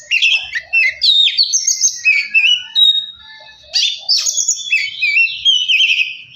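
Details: Oriental magpie-robin, lure song to get birds singing and agitated: lively medley of bright whistles, trills and harsh chips, one sustained pure note near the middle, steady and loud.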